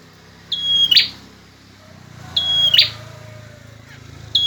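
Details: Male bar-winged prinia singing actively: a thin, steady high whistle ending in a sharp buzzy burst, given about every two seconds, with a low hum in the background.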